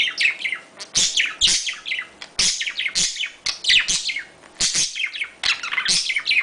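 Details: Courting budgerigars give a mating call: a continuous, fast warble of chirps, clicks and rising squeaky whistles, packed into a rapid, uneven chatter throughout.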